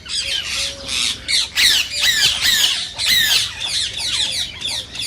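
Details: Rose-ringed parakeet calls, the Indian green parakeet, used to encourage singing and mating in listening birds: a dense chorus of shrill, grating screeches and chattering notes, nearly continuous with brief pauses.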